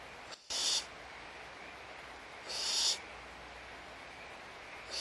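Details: Barn owls in a nest at Audubon Starr Ranch Sanctuary at feeding time, 16 March 2011, morning: three harsh, breathy hisses, each about half a second long and roughly two seconds apart, over a faint steady background hiss.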